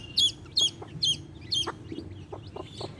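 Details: Hen accompanied by baby chicks: four loud, high downward-curving peeps in quick succession, then quieter low taps and fainter chirps.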